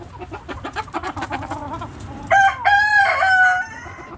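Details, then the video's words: Backyard chickens: a run of quick repeated hen clucks, then a rooster bursts into a loud drawn-out crow lasting over a second. "Backyard Chickens Relaxing Video Sounds Noises Hens Clucking Roosters Crowing!"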